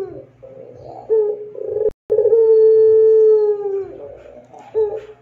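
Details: Pelung-type Barbary dove singing actively, used as a training master for other doves: short low coo notes, then a sustained clear coo of nearly two seconds holding an even pitch and sinking slightly at its close.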